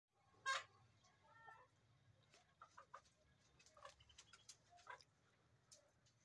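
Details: A duck on a pond gives one loud, harsh quack, then softer scattered quacks and clucks over a low steady rumble.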